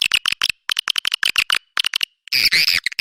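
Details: Swiftlet calls used to attract swiftlets: dense bursts of rapid, harsh clicking chatter in quick trains, with short silent gaps and a louder rasping burst near the end.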